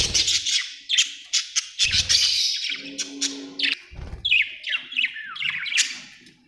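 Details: Budgie chatter of rapid clicking notes and scratchy warbles, with short pulsed bursts about twice a second, some nasal squawks and low thumping sounds in the background.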